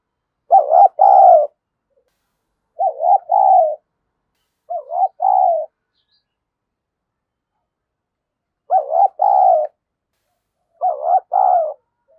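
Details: Spotted dove used as a decoy bird to provoke rivals, giving its excited daily cooing; two-part cooing phrases around a low pitch, repeated in five bursts with silent gaps, no other sounds.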